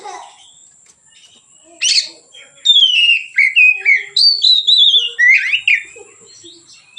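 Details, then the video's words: Kacer, or Oriental magpie-robin, in relaxed ngeplong singing meant as a training lure and master song; after a quiet start, a burst then a chain of sweet descending whistles and twisting slurs, constant thin high tone underneath. "suara Kacer ngeplong santai, pancingan / masteran Kacer"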